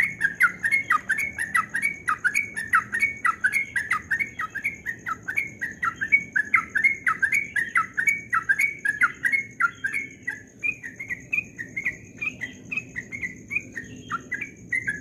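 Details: Rapid dawn ropel song of a Yellow-vented bulbul, praised as very melodious: fast, continuous chattering whistles bouncing up and down for fifteen seconds, with a thin constant high tone and soft low background noise.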